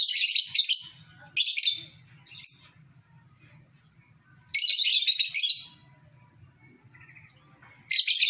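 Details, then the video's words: A lovebird heard beside a fish pond in a home village gives "ngekek" bursts of harsh, buzzy, rapid chattering, each one to two seconds with short pauses between, over a faint low hum. "mendengarkan burung lovebird ngekek"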